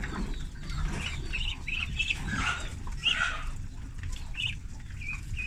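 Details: Ducklings, a group of thirty raised on a farm, during feeding; scattered high peeps and brief shrill notes, some blurred together, over low rumbling noise.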